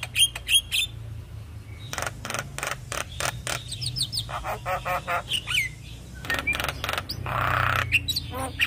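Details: Young Javan myna in persistent song: busy, overlapping harsh notes and clicks with occasional short whistles, a low rumbling hum underneath and a broad rasping note near the end.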